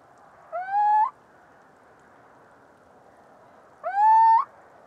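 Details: Two plaintive, upslurred hoots from a little owl (Athene noctua), each about half a second long and ending with a slight lift, separated by roughly three seconds of soft background hiss.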